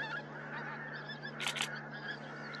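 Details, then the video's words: Pink-footed geese recorded at Starene in 2023: a short stretch of massed honking from a flock, with a sharp louder double call in the middle, over a constant low hum. "KORTNEBBGÅS ( ANSER BRACHYRHYNCHUS)"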